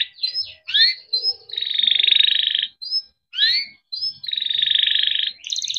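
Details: Canary singing chirps alternating with long buzzy rolling trills in the 'ngerol' style, a lure recording to get other canaries singing; sweeping chirp notes separate two extended harsh rolls.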